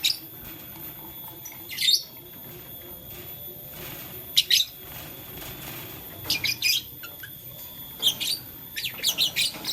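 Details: Morning chirping from blue, lutino and green lovebirds playing with a flower; sparse bright high chirps at first, growing into a run of rapid repeated notes near the end.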